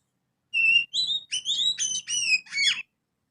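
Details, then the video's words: Young Oriental magpie-robin singing house sparrow imitations (isian burung gereja, ngriwik): a short run of clear, high whistled notes, some steady, some slurred upward or downward, packed into about two seconds. "Kacer Muda ngriwik Isian burung gereja."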